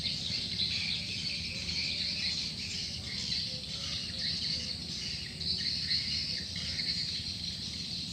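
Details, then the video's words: Masses of swiftlets responding to a lure call: continuous shrill, overlapping chirps and twitters from many birds, steady in loudness throughout. "Suara Burung Walet, Download Suara Panggil Walet"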